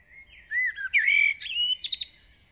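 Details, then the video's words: Common blackbird, a village bird singing intensely at dawn: a mellow fluted phrase sliding low, then a louder whistled note and a thin, chattery twittering ending in quick high bursts. "𝗕𝗹𝗮𝗰𝗸𝗯𝗶𝗿𝗱 (𝗖𝗼𝗺𝗺𝗼𝗻 𝗕𝗹𝗮𝗰𝗸𝗯𝗶𝗿𝗱) (𝟭𝟭) 𝘛𝘶𝘳𝘥𝘶𝘴 𝘮𝘦𝘳𝘶𝘭𝘢 — garden bird songs and calls"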